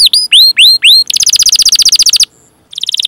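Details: Canary song recording used as training material to teach young or silent canaries to sing: loud rising whistled notes, then a fast buzzy trill of about twenty even pulses, a short pause, and another quick trill.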